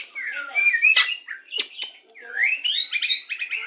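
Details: White-rumped shama singing to stimulate breeding condition at pairing time: clear sliding whistles, a couple of sharp clicks, then a rising whistled phrase breaking into quick repeated fluty notes.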